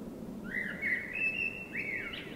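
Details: Common blackbird singing at night in spring: a rich, fluting whistled phrase with slurred notes around the upper-middle range, ending in a higher twittery flourish, over a low steady background hum.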